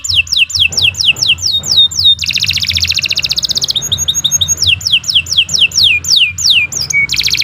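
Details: Canary song used as a master recording for training other birds: series of fast descending whistled sweeps, then dense buzzy trills and rolling phrases, more downslurred notes, ending in a low trill; faint low hum beneath.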